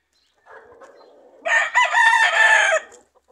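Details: A farm rooster gives one loud, harsh crow of about a second and a half, falling at the end, after a low, soft clucking lead-in, in ambient sound among other roosters and chicks.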